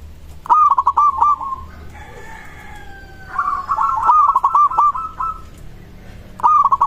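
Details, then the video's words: Zebra dove of local stock giving its response-provoking song: repeated rapid, stuttering coo phrases with drawn-out tails, one extended run in the middle, and a separate long tonal call in the background. "Perkutut lokal suara ini disukai burung perkutut langsung nyaut"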